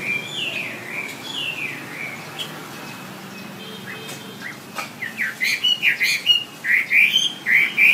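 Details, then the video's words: Wambi song meant for teaching songbirds: a few drawn-out falling whistles at first, then a quick burst of sharp, repeated chirping notes, roughly one per second, growing louder toward the end. "Suara WAMBI untuk masteran burung kicau anda"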